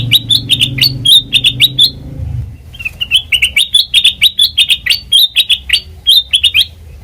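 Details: Lively black-crested bulbul song for trap luring, with rapid, repeated bright chirping notes in two long, almost unbroken runs, a short break between them, and a low hum at the start.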